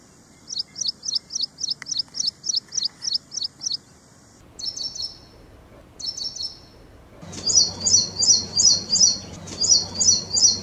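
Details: Ashy prinia song, a training recording resembling ciblek semi: fast series of high, sharp chirped notes about three per second, then short double-note bursts and a louder rolling phrase, with abrupt changes between segments and low background hum.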